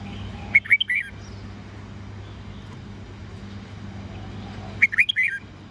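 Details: Red-whiskered bulbul singing in a morning training recording for young birds: two short phrases of quick, sweet whistled notes, one early and one late, over a steady low hum.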